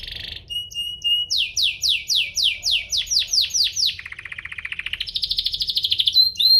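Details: Domestic canary, Serinus canaria domestica, singing to provoke other canaries into song: a varied, loud high song with a short trill, a run of about ten rapid descending sweeps, then a lower buzzy roll and a rising rapid trill.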